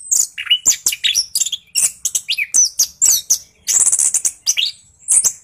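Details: Singing orange-headed thrush in rolling 'ngeroll' style, a lure recording for quiet birds: fast stream of sharp high notes, buzzy bursts and whistled twists, near-continuous.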